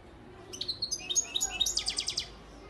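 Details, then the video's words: From Antalya, Turkey, 2018, a European goldfinch breeding male sings thin rising whistles that speed into a rhythmic series of bright, repeated tinkling chirps. "Saka kuşu ötüm"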